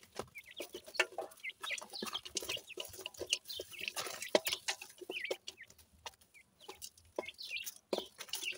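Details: Young pheasants feeding on fresh food, sounding content: rapid thin peeps and brief upward chirps from several chicks, interrupted by quiet clucks and the tap of beaks striking the ground.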